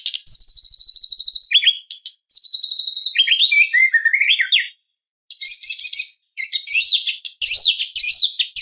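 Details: White-rumped shama, murai batu, singing to provoke an opponent: very high rapid trills and buzzy notes, falling slurred phrases, then rising-and-falling high whistles in quick bursts.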